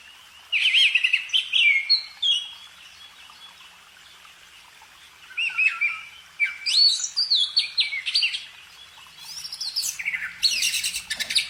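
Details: Bursts of lively bird song broken by quiet pauses: rapid warbled phrases, sweeping whistles and dense chattering trills that grow louder toward the end.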